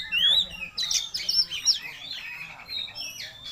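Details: Oriental magpie-robin, known locally as kacer, singing vigorously again after being sick; a rich, fast medley of sharp high whistles, rising slurs and buzzy chattering notes runs without pause, over a faint low background hum.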